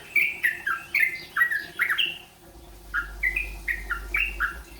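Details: Yellow-vented bulbul practising rolpen-style song: a rapid series of short, liquid, downslurred notes, a brief pause near the middle, then more chirpy phrases, over a faint low hum.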